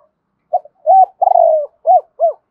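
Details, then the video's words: Spotted dove delivers a single clear cooing phrase: a short note, a rising coo, a long tremulous descending coo, then two separate arched notes, against silence. "tieng cu gay kich boi nhanh noi นกเขาใหญ่"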